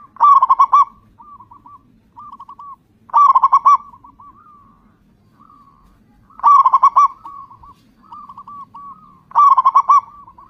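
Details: Loud zebra dove, local type, serving as a lure for other zebra doves to sing. Four bubbling bursts of five to six fast coos come at steady three-second intervals, softer answering coos between them.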